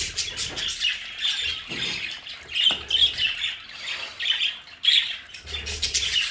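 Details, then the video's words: Budgerigars kept at home in a decorated play area give a lively stream of squeaky, whistled chirps and scratchy warbles, with a few sharper peeps standing out and a faint low hum. "Sonidos de budgies para Budgies en casa"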